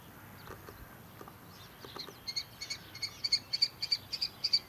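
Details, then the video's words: Young common kestrel of this year, fledged from a barn nest box and sitting on the ground at a farm in early morning, begging for attention; soft ticks first, then a quickening series of shrill high repeated notes. "Juvenile Kestrel gathering for attention"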